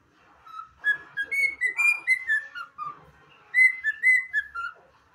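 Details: Whistled anthem from a pet cockatiel: a run of ringing, harmonic notes climbing then sliding downward, a pause, and a second shorter phrase of similar bright whistles, with faint low background noise.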